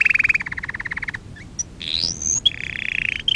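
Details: Canary lesson song for young canaries: a fast pulsed trill, a sharp chip, a rising buzzy glide climbing high, then a rapid lower rolling trill ending on a louder burst.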